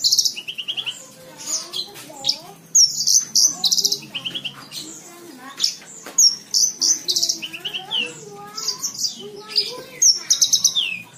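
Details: Javan bush lark singing a tutor song for training young cage birds; a continuous jumble of high chirps, slurred whistles and short buzzy bursts with rapid note changes, delivered in irregular runs.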